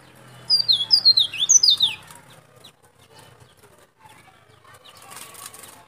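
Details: Wild-bird luring song of a white-breasted white-eye from Baubau, Buton, Sulawesi: a quick burst of bright, high, sliding twitters lasting about a second and a half, then faint background rustle.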